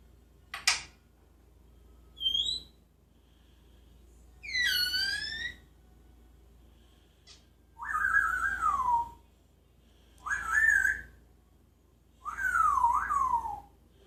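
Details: A Jeddah parrot that sings and copies sounds produces a click, then a string of whistled phrases: a short high note, a falling slurred whistle, and three wavering mid-pitched warbles, each about a second long, indoors.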